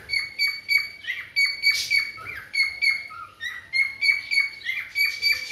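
Cockatiels give rapid, repeated high chirps with a few harsher squawks mixed in.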